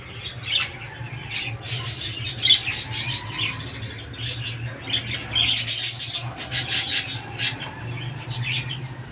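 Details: Budgerigar sound: scattered chirps at first, then a fast run of sharp clicking squawks after five seconds, possibly with wing flaps, over a low hum.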